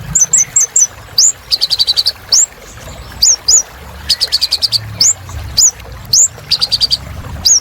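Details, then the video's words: Sunbird song used as therapy for birds stuck silent: thin high chirps and hooked upslurred whistles alternate with bursts of rapid, evenly spaced ticking notes, all very high-pitched. "Kolibri Ninja Gacor Untuk Terapi Burung Macet Bunyi"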